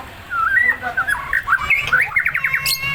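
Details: Provoked caged white-rumped shama pours out a rich, fast warbling song of slurred whistles and trills climbing in pitch, ending with a sharp high note, over a low background hum.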